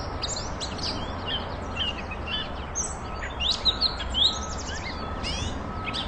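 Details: Catbird song used for training champion magpie-robins: quick jumbled phrases of squeaky whistles, buzzy notes and falling slurs, delivered continuously over a low constant hum.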